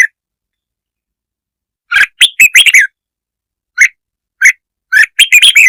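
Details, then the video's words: Provoking lure song of a red-whiskered bulbul: after a silent start, a rapid string of sharp, liquid notes, two single chirps, then a closing flurry of quick warbles. "tiếng chim chào mào kich mồi chuẩn"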